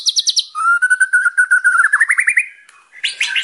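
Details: Murai batu, the white-rumped shama, singing a training song for untrained young birds: fast high chips, then a clear whistled series that climbs slowly in pitch, a short pause, and a sudden bright burst.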